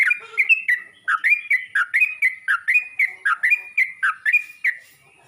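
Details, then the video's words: Yellow-vented bulbul summoning other bulbuls with a steady series of bright, slurred notes, each a quick downward-then-upward twist, repeated evenly for about four seconds before fading out. "Burung trucuk ini pandai memangil burung trucuk lain"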